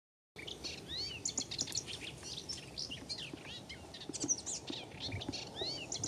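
Melodious warbler giving a fast, continuous chattering warble of high, varied notes and quick slurred phrases, with a faint background rumble.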